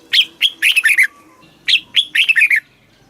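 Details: Thai caged red-whiskered bulbul in southern master-style song meant to excite birds and train young ones: two lively bursts of sharp, slurred whistles, each about a second long, over a low background murmur.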